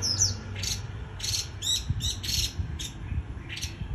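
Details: White-eye giving líu choè song: a sharp falling whistle, then a string of harsh, scratchy chattering bursts with thin high whistled notes, over a low steady hum.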